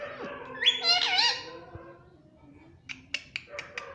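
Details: Pet parrot speaking words such as "mummy" and "mitthu": a loud, wobbling, voice-like phrase in the first second and a half, then a pause and a run of short soft clicks.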